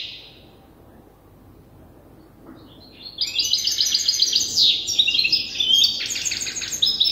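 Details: An immature goldfinch hybrid rehearses the song it is still learning from an older hybrid. After a near-silent opening, dense high twitters, sharp chips and buzzy trills pour out rapidly in an uneven, chattering flow.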